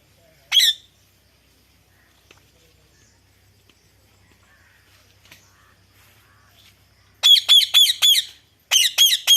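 A ringneck parrot gives one harsh squawk, then after a quiet pause two fast bursts of loud, screechy notes, about four in each.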